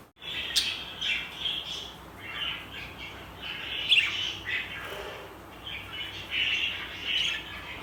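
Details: Tame, friendly pet budgerigars chatter to each other in a steady stream of bright, scratchy warbles and quick chirps.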